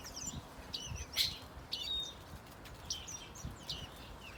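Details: Azure tit bred in an aviary and flying free in a villa garden; short high chirps and thin whistled notes scattered through the clip, some in quick pairs, with wing flutter and low background rumble.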